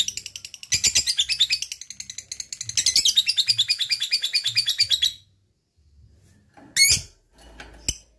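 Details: Lovebird ngekek, its long chattering song: about five seconds of rapid, rasping chirps, then quiet broken by two brief sharp squeaks.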